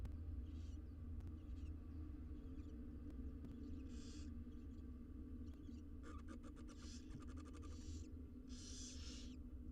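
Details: Inside a research nest box, six wild barn owl nestlings are fed. Scattered soft hisses, a quick rattling series of clicks, then louder rasping begging bursts near the end, over a low hum.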